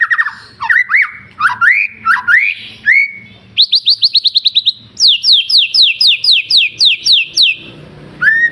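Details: Energetic White-rumped shama song meant to get other birds singing: rich rising whistles at first, then rapid bursts of high, sharply descending notes repeated in quick, rhythmic runs.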